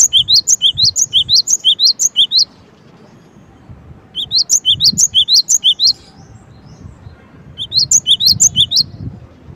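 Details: Cinereous tit giving three separate bouts of fast, sharp two-note phrases, a lower note then a rising higher one, each bout lasting about two seconds with quiet gaps between.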